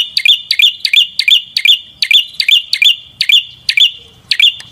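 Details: Prinia song: a fast run of sharp, high two-part chirps, each a bright sweeping note, repeated about three times a second with even spacing and a faint low rumble underneath.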